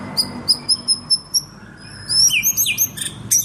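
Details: Murai batu, the white-rumped shama, singing energetically: a run of six evenly spaced high, clear chips, then a short pause and a faster rush of ringing whistles and rising slurred notes.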